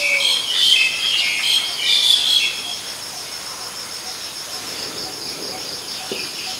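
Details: Black-collared Starling in Ubon Ratchathani, Thailand, 10 February 2023: harsh, squeaky chattering burst with sharp whistled notes for about two and a half seconds, then quiet, over a steady high insect buzz.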